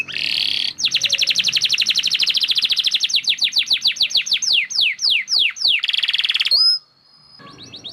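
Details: A singing canary: a buzzy phrase, then an extended fast trill that slows into evenly spaced falling notes, another buzzy burst, and a rising whistle before near silence.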